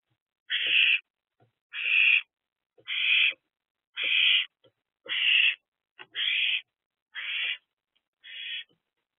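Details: A young owlet in an owl box gives harsh, breathy hissing screeches, each about half a second long, repeated roughly once a second in a steady series, recorded at night around 3 am in late April while eating a large rodent.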